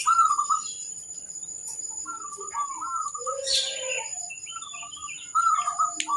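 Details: Zebra dove, a local singing bird, challenging rivals: a few soft rolling coo phrases at the start, middle and end, mixed with scattered chirps from other birds and a thin steady high whine.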